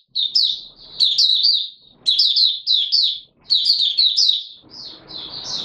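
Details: Opening song from a Mata Puteh Raja white-eye, caged and not yet in full condition: lively high twittering runs in bursts of about a second, ending in a softer thin warble over faint noise.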